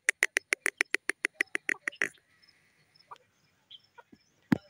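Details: Irani teetar (grey francolin) calling: a rapid series of about fifteen sharp, clipped notes, evenly spaced several per second, then silence broken by a few scattered knocks and a loud thump.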